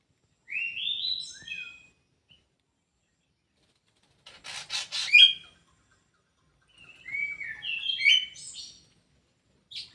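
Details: Kidangan kaso kaso bird kept in an aviary, singing three separate phrases of slurred, whistled notes, some rising and some falling, with a brief buzzy burst in the middle phrase and short pauses between phrases.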